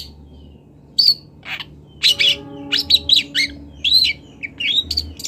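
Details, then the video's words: Young long-tailed shrike from Kendal learning to sing, giving scattered sharp chirps and short warbled phrases after a quiet start, with steady low humming tones in the background. "MASTERAN CENDET TROTOL BELAJAR BUNYI"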